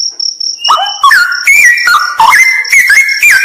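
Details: After a high steady pulsing tone, a straw-headed bulbul bursts into loud melodious song, fluid whistled notes dropping and rising in quick phrases.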